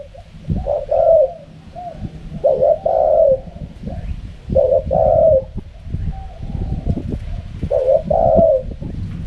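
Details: Spotted dove giving its 'karam pa' wild-style coo: four throaty phrases in quick succession, each a brief note leading into a longer warbling coo, with clicking and tapping noises underneath.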